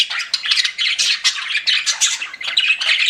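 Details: Busy chirping from pet budgies, quick rasping notes and bright whistled squeaks pulsing in rapid succession.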